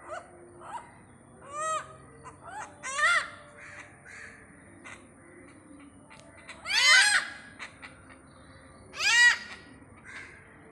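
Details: In Pathanamthitta, a great hornbill utters hoarse arching honks, smaller ones early and two loud drawn-out calls later, over a faint constant hiss.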